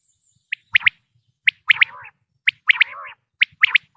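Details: Common quail, male and female, recorded as a hunting lure in Pakistan: short high notes followed by paired sharp whistles, each group trailing into a lower buzzy tail, repeated about once a second.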